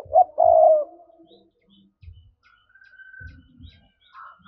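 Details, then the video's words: Spotted dove 'thúc' coo for luring doves. It opens with a short hoot and a longer low throaty note that fades out, followed by quiet knocks and a thin, higher sustained tone. "Giọng cu gáy thúc hay, anh em mở lên kích bổi rất hiệu quả"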